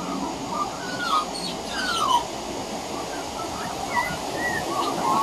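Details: A juvenile Australian magpie hiding on a veranda practises its carolling in soft, scattered warbles and gliding notes over a steady hiss. Juvenile pied butcherbirds practising song can also be heard.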